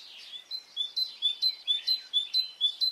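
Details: On a spring morning in Brittany, France, a bird delivers clear, sharp whistled notes with a falling tail, repeated regularly a little over twice a second, over faint twittering from other birds.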